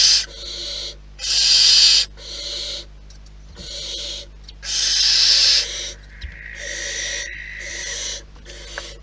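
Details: Barn owls at their nest in the wild give a run of rasping hiss-screeches of varying loudness, with a thin, steady whistle-like tone drawn out near the end and quieter hissing throughout.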